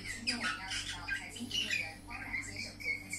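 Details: Pet budgerigar singing indoors: a busy, scratchy warble of squawky notes and short whistles mixed with chattering, over a faint steady electrical hum.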